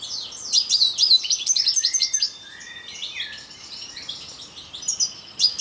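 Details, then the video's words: Song of a parva European goldfinch, fast liquid twittering notes strung together, dipping into a few lower slurred notes midway, a quieter stretch of soft chatter, then a bright final burst. "parva putter zang. chant chardonneret parva"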